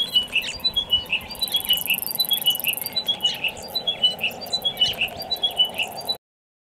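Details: Chiming Wedgebill at dusk on a perch by a Murchison River crossing pool in inland Australia, a shy bird that sings after feeding on the ground: clear, bell-like whistled notes tumbling downward in short, steadily repeated phrases, with a brief high hiss behind.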